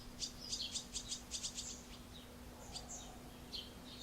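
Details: A pair of barn swallows feeding one of their chicks in late June 2016 at Alzira, Valencia: a rapid series of high, thin twittering notes for about two seconds, then scattered chirps, over a steady low hum.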